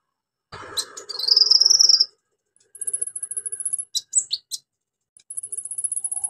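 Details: Orange-headed thrush in lively song rich in imitations, used to coax birds that have stopped singing: a harsh buzzy opening, then long high sizzling trills broken by quick sharp downslurred whistles, all in rapid bursts.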